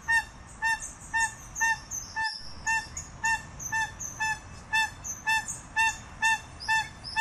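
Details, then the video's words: Crested guan honking steadily, around two calls a second, each note short and nasal, with a brief click near the second mark and faint bird chatter behind. "Canto de la Pava Cojolita"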